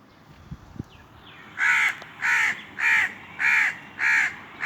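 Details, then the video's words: Crow cawing: five loud, harsh caws in a steady series about every 0.6 seconds after a quiet start with faint clicks and a brief soft note. "Crow call | Crow sounds"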